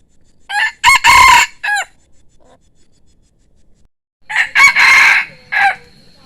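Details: Two loud crows from a rooster, each a harsh stuttering cock-a-doodle-doo with a broad noisy middle and short rising notes on either side, separated by about two seconds of near silence.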